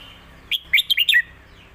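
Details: A red-whiskered bulbul, a competition bird whose song is recorded to teach young birds, gives a brief phrase of four or five bright, liquid notes that swoop up and down, delivered quickly over half a second.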